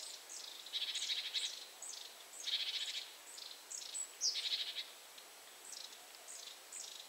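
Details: Eurasian nuthatch, grooming while calling to another nuthatch in another tree: quick series of high, down-slurred notes, some grouped into buzzy bursts, repeated roughly twice a second, with steady background hiss.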